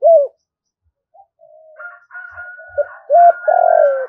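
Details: Spotted dove lure call for drawing wild birds in to fight. A mellow coo opens, a thin steady whistle runs faintly in the middle, then a short coo and a long, falling coo close the sequence.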